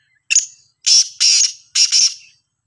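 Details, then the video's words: Black francolin, a Sindhi black teetar, giving a loud harsh call: five grating, buzzy notes in about two seconds, a short sharp opener, then longer scratchy notes and a quick doubled ending, with silence between. "Kala Teetar ki Awaz"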